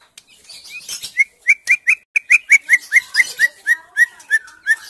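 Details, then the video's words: Caged female white-rumped shama, a bird used to coax quiet males into song, gives a fast series of about fifteen identical short upslurred whistles, evenly repeated roughly three per second, with faint chatter behind. "MURAI BATU BETINA GACOR BISA UNTUK TERAPI BURUNG BAHAN DAN MURAI MACET BUNYI AGAR GACOR"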